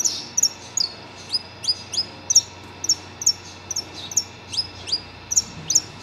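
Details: A saffron finch, agitated on hearing other saffron finches singing, sings a run of sharp, high chips and short rising slurred notes, roughly twice a second, over a quiet background.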